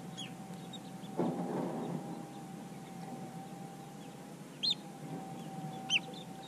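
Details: Long-billed dowitcher uttering two short, sharp high-pitched keek calls about a second apart near the end, over a constant droning hum and a brief low rumble early on.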